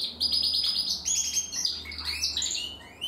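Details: Young Timbrado canary from 2020 in song practice, producing a rapid, evenly repeated trill that slides into lower rolling notes.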